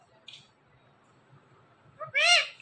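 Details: Pet Indian ringneck parrot talking: a brief faint high note near the start, then a loud, nasal, arching two-syllable word around two seconds, with a quiet room behind.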